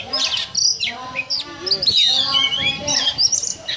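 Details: ['Oriental magpie-robin (kacer) with cobra-like ngobra singing: quick high whistles and buzzy slurred notes in short bursts, over a noisy background with voices.']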